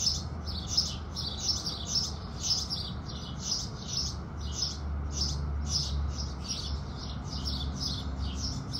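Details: Several house sparrows chirping together in the morning at sunrise, dense overlapping bright chirps with no gaps, over a noticeable low rumble.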